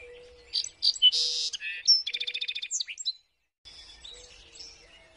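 High, varied twittering with sharp whistles and a fast run of about a dozen repeated chips, then softer chatter; a low steady hum runs beneath.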